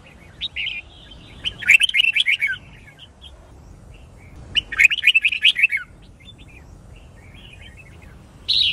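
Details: A red-whiskered bulbul's fighting song, used in song training, comes as two fast chattering, warbled bursts about three seconds apart, with softer scattered notes between and a loud whistle at the end.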